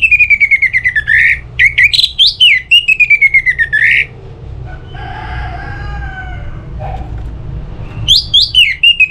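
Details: Orange-headed thrush song used as a lure so other birds sing: four seconds of rapid, loud whistled notes with swooping accents, a pause where a rooster crows in the background, then the whistling resumes.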